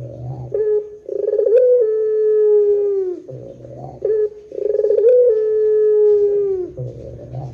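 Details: Barbary dove in pelung style, a lure recording for other doves: rough buzzy lead-in, a small upward flick, then a long flat low coo that drops at the end, repeated twice.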